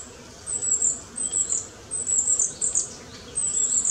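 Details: A recently fledged young long-tailed tit foraging among trees gives very high, thin, sibilant calls in short clusters about every second or so over a quiet, faint background.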